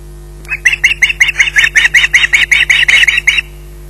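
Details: Osprey at RSPB Loch Garten squawking while waiting for food: a fast run of about seventeen harsh, evenly spaced squawks over three seconds, under a steady low electrical hum.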